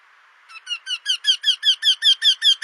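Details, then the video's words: Eurasian wryneck singing: a series of loud, nasal, slightly descending notes, about ten in two seconds, building in volume and then holding steady, clean against a quiet background. "Singing Eurasian Wryneck (Junx torquilla)"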